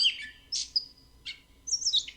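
Gray Catbird song: a jumble of squeaky, scratchy high phrases, each given once before switching to the next, with brief gaps between.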